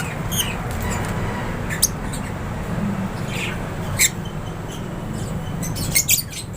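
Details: Lovebirds in an aviary give a few sharp, shrill chirps and squawks, spaced irregularly every second or two, over a steady low rumble.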